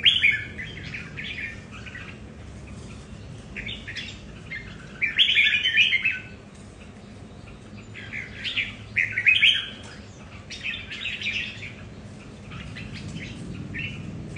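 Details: Caged red-whiskered bulbuls at home compete over territory, each with a different character; lively chirping, warbling phrases come in loud bursts around five and nine seconds, with quieter twittering between them and a steady low hum beneath.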